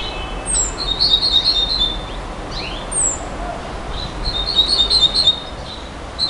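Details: A nightingale alternates piercing, down-slurred whistles with short, rapid bursts of ringing, repeated notes, roughly every two seconds, over constant background hiss.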